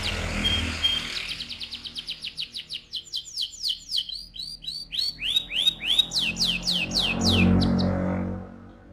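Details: Canary singing to stimulate the male and ready the female for breeding; after low background rumble, a rapid string of short descending whistled notes builds into faster, louder downward sweeps, then fades as a soft hum rises.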